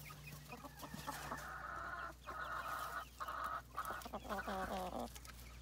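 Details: Rooster crowing in a series of drawn-out harmonic calls, each about a second long, separated by brief pauses, with a steady low hum and scattered farmyard noise behind.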